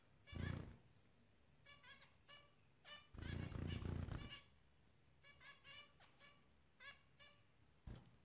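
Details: Zebra finches giving short nasal, trumpet-like beeps in quick clusters, several notes per second, broken by two loud dull thumping bursts near the start and middle.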